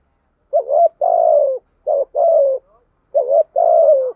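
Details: Cooing of a decoy spotted dove, used to make wild-caught doves call quickly: three evenly spaced pairs of soft low notes, each a quick rising coo then a longer sliding-down coo.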